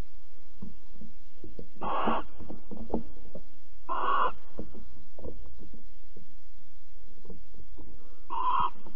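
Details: Three harsh hissing screeches from barn owls mating and cuddling at Alphen on 22 April 2020, 21:37, spaced about two to four seconds apart, with clicking and scratching sounds in between.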